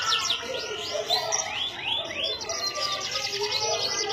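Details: Canary song recorded in Indonesia: a string of clear upward-arching whistles followed by thin high trills, set against softer twittering from other birds.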